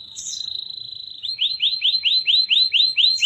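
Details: Yellow canary singing energetically, recorded as a tutor for young canaries learning to sing: a sustained high whistled tone, then a fast series of rising high chirps, about four a second.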